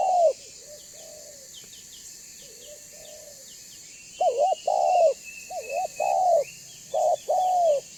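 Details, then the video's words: Lure call of a banggo spotted dove meant to make other doves respond and come closer; soft low coos at first, then a burst of loud repeated phrases of quavering short notes and long descending coos, over a thin high insect drone. "Suara Burung Tekukur BANGGO Gacor Membuat Terkukur Lain Auto BUNYI Dan MENDEKAT !!!"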